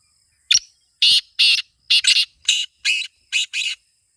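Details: Kept black francolin delivering a sharp opening click, then about seven rasping, grating notes, some doubled, in an uneven rhythm across three seconds, loud and dry against silence.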